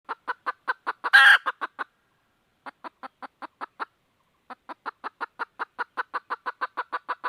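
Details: Red junglefowl hen calling to seek a rooster: rapid dry clucks repeated about four times a second in runs separated by short pauses, broken once near the start by a loud harsh squawk.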